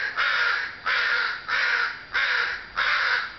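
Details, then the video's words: Steady run of five loud, grating caws from crows out in the June afternoon sun, evenly spaced. "A Chorus Of Crows"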